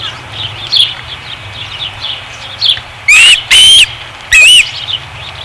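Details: Osprey at a nest at Dunrovin Ranch, 5 August 2016: faint background chirps, then three loud, close, whistled calls, each a sharp rising-and-falling slur, the last two in quick succession.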